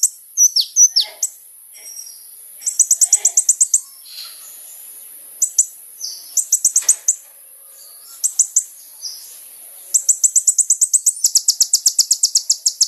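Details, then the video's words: Sunbird (kolibri ninja) in full song, recording used to provoke a response: scattered high chirps alternating with bursts of fast, even trills, the longest trill closing the passage. "SUARA BURUNG KOLIBRI NINJA GACOR"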